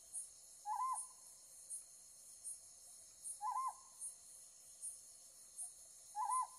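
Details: Ryukyu scops owl calling at night while lit by a light, filmed on a Nikon Z9 with 500 mm lens: three short, throaty, wavering hoots spaced nearly three seconds apart, over a steady high ticking of insects repeating under a second apart.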